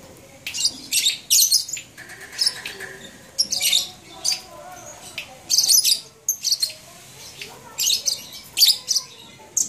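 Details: Lively labet song from Banyuwangi, recorded January 2018 at Blokagung: dense runs of high, sharp, scratchy chirps in quick clusters, pausing briefly between bursts, over light background noise.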